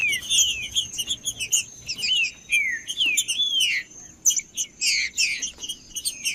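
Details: Captive green-winged saltator singing, played to warm up a quiet captive bird. Clear descending whistled slurs repeat over busy high chirping from other birds and a steady high whine.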